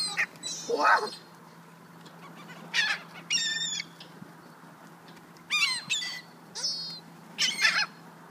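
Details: Hungry gulls calling while a person feeds them, 27 January 2013: several loud, harsh, down-slurred squealing cries in short bursts, some overlapping, with quieter pauses between and a steady low hum underneath.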